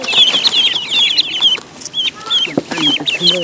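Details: Duckling in a pond gives a dense burst of shrill whistled peeps, then a short pause and scattered single peeps. A few lower, drawn-out tones join near the end.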